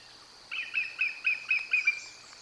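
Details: Bald eagle at the Decorah North nest on the morning of 15 August 2022, giving a rapid series of about seven high, thin, piping notes, each slightly falling, over quiet outdoor background.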